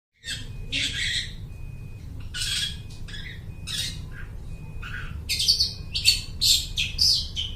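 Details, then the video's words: Long-tailed shrike singing in a lively, mimicking style and copying other birds, kept as a lure bird; harsh scratchy bursts alternate with a thin steady whistle, then quick squawky notes speed up near the end over a low hum. "suara burung cendet gacor niruin suara burung lai"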